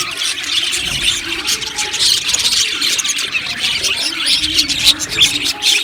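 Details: Australian budgie colony in an aviary keeps up a dense, high chatter of chirps, squeaks and warbles, many birds calling at once without a break.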